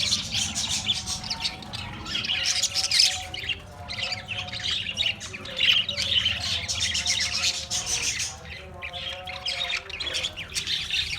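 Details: Australian parrots in busy chatter, harsh squawks and high chirps overlapping, with some lower repeated warbling notes woven through the middle section.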